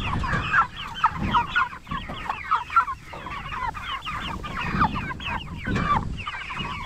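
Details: Jumbo Cornish Cross broiler chickens, 44 days old, raised for meat: a flock giving dense, overlapping high peeping chirps, many short rising and falling notes, with soft low rumbling and shuffling underneath.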